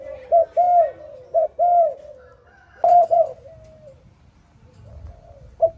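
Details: Morning calls of a spotted dove: two phrases of mellow, low coos, each a short note followed by a longer drawn-out croo, with a pause between phrases and a soft trailing coo at the end.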